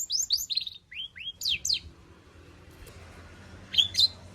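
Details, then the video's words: Long-tailed shrike with a 'full isian' song meant to provoke other shrikes into song. Brief high slurred chirps and squeaks come in a burst, then a pause, then two sharp notes. "burung cendet gacor FULL ISIAN pancingan Cendet AGAR BUNYI"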